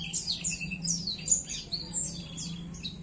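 Javan tesia singing a fast, tumbling jumble of thin, high tinkling and sweeping notes, nearly nonstop, over a steady low hum.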